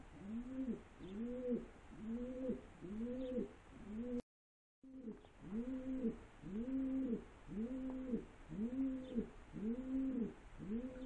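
Pigeons coo in a steady run of soft, low, rounded notes, roughly one each second, broken by a brief pause partway through.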